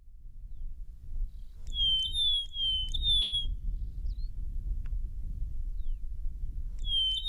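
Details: A male and female Rosy-patched Bushshrike duet in Djibouti, alternating their calls in a quick run of clear, slurred whistles, then another burst, over a steady low rumble.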